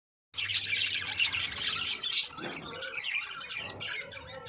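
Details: Budgerigars in a breeding colony: a dense, continuous chatter of overlapping high chirps, squawks and warbles from many birds at once, rising and falling in loudness, with no other sounds clearly standing out.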